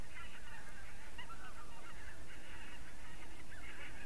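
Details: Flock of geese, recorded on 3 October 2015 at 20:23, keeping up a near-continuous chatter of overlapping nasal honks with a constant low-pitched background rumble throughout.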